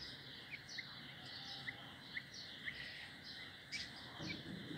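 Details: Grey Francolin chicks eating mealworms, sometimes fighting over them, give short, high, thin peeps, about two a second in an irregular patter, over a steady background hiss.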